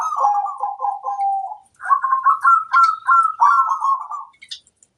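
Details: Local zebra dove singing vigorously, a master song meant to prompt replies from other doves: a low purring descending phrase, then a quicker run of higher rolling coo notes, nearly without pause.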